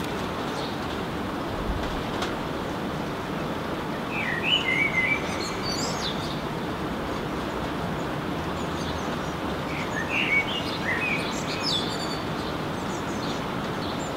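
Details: In the rain, a blackbird delivers two separate warbled whistle phrases about six seconds apart, ending in higher twittery notes, while heavy rain hiss fills the background.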